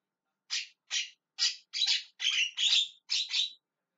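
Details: Javan myna calling, a short series of seven loud, harsh squawks, single at first and then doubled, each a rough broadband burst.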